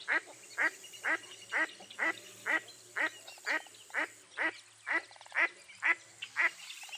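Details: A mottled duck quacks rhythmically, roughly two rasping notes every second, with low rumbling background noise beneath.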